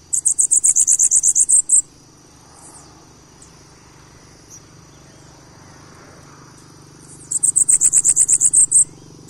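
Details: Two phrases of bananaquit song, each a rapid, high, stuttering series of about a dozen notes, over a steady low background hum.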